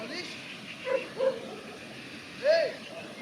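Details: A common raven calls while eating an apricot: three short, hoarse calls, two clipped notes close together then a longer arched one a second later, over faint background rumble.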